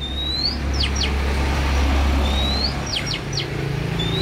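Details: Oriental magpie-robin raised from young, repeating a rising whistle followed by two or three quick downward chirps, a pattern heard twice, over steady low engine-like rumble.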